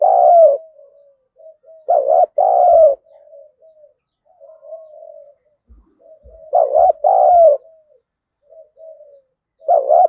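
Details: Caged lure spotted dove, thổ-voice style, calling to goad wild doves into a fight. Loud phrases of a short doubled coo then a drawn-out lower coo, with soft murmured coos and a few dull thumps between phrases.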